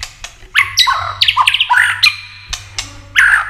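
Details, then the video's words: White-rumped shama in tail-flicking 'tạch' contest song that stimulates rival singing; a brief run of loud slurred whistles and chattering notes over a few dry clicks. "Chòe lửa tạch đập đuôi kích thích lửa lên lửa rất nhanh kích chim hót đấu hiệu quả"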